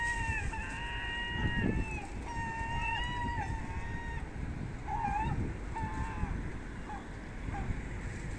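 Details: Herring gulls in a city, feeding on trash: long, slightly wavering mewing cries follow one another almost without pause, then shorter clipped calls toward the end, with low background rumble and scattered knocks.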